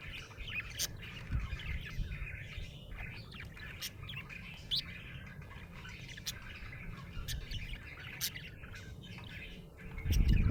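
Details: Happy budgerigar keeps up a busy stream of squeaky chirps, warbles and sharp clicks against faint low hum, ending in a loud low rumble.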